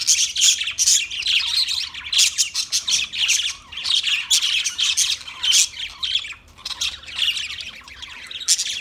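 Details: Budgerigars squawking and chirping in rapid harsh bursts, grouped into short chattering phrases roughly every second, bright and scratchy throughout.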